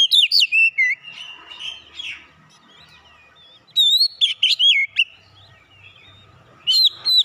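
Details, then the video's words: Oriental magpie-robin described as having a fighter character, its song played as therapy: loud bursts of varied whistled and buzzy notes with rapid frequency sweeps, separated by quieter stretches of fainter chattering, with a final burst near the end. "terapi tes Kacer bahan cepat keluar karakter fighter"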